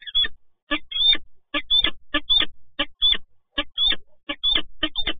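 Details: Resident peregrine falcons (Falco peregrinus) meeting at PGE Toruń, 27 November 2022, give harsh, grating calls in quick bursts, about one every half second, with low traffic rumble underneath.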